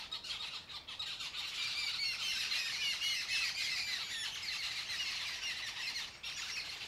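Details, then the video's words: Flock of Jungle Babblers squabbling in mock fights on an orchard tree branch at the start of the breeding season near spring; rapid harsh squawks and squeals in a steady overlapping stream, many notes per second. "Jungle Babbler flock noisily mock-fighting on tree branch"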